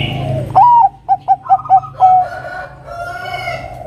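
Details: Lure song of a Bangkok-strain zebra dove, played to make an opponent sing. A curved opening coo is followed by rapid clipped notes and a long steady final tone, with softer overlapping bird sounds behind.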